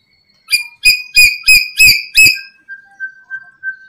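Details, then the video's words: Lure calls of a black-capped lory for attracting other lories: six quick raspy squawks in a rising burst, followed by a thin steady whistled tone and soft chirps. "Pancingan Burung Nuri kepala Hitam"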